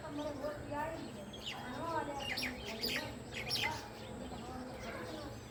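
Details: House sparrows (Passer domesticus) in the evening give bright, short chirps in quick irregular bursts, several overlapping, over a murmur of voices and lower background chatter.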